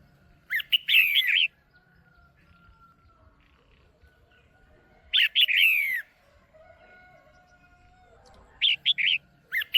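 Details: Female Red-whiskered bulbul kept in a cage, calling to stir a male or to pair: three short bursts of sharp, slurred chirps separated by long pauses, with faint low hum in the background.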